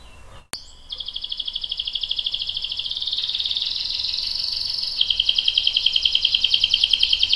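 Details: Canary singing a long roll, used to prompt and tutor young and adult canaries: a sustained, even, rapid high trill that steps in pitch partway through, after a sharp click at the start, with a low background hum.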